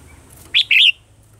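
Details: Red-whiskered bulbul giving its morning song in a wild, mature voice, meant as a decoy sound for training caged birds. A clear chirped note, then a longer warbled whistle, loud against quiet background.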